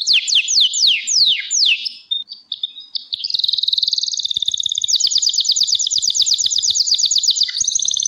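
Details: A Gloster canary gives loud downslurred whistled notes, a brief quieter gap, then a long, steady, high rapid trill lasting several seconds.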